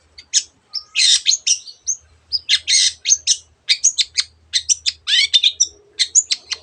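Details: Long-tailed shrike (cendet) in loud mixed song: broad grating rasps interleaved with quick chips and rising and falling whistled slurs, a rapid stream of varied imitated notes.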